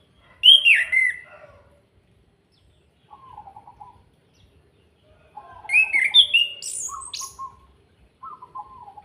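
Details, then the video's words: Orange-headed thrush singing kretekan, a lure for making other birds sing: two loud bursts of sharp descending whistles and high crackling chatter, with softer low trilled phrases between them and after them. "Pancingan Anis Kembang Agar cepat bunyi, suara kretekan Ampuh dan Plong, Pancing emosi"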